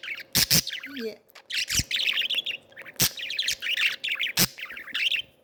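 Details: Three pet budgerigars at play chatter in fast, high, scratchy warbles and chirps, broken by sharp tapping clicks and a brief low murmur.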